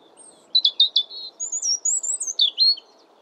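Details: European robin (Erithacus rubecula), song.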